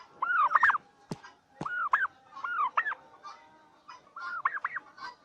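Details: Turkeys on a farm in Bangladesh give clear, tonal, arched notes in quick clusters of two to four, rising and falling, spread across several bursts, with a couple of sharp clicks between them.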